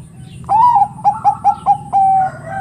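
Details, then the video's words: Zebra dove of the Bangkok type singing a loud 'ngerot' bekur, said to spur other doves to sing: a wavering upward first note, four short punchy coos, then a long steady hoot. A faint answering dove follows at the end. "Suara PERKUTUT Bangkok Gacor NGEROT super BEKUR ini paling pintar membuat Kutut Lain BUNYI emosi"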